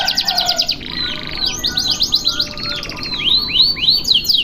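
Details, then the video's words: Canary delivering a long single-breath tutoring song: fast buzzy trills alternate with series of curved, swooping whistles, repeated roughly three to four times per second, continuous and high-pitched. "MASTERAN KENARI DURASI PANJANG SATU NAFAS"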